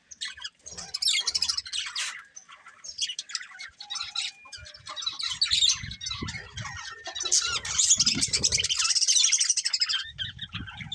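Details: Pet budgerigars, a colourful breeding pair, keep up a continuous stream of rapid, high, scratchy chirps and warbles with short squawky notes, growing busier toward the end.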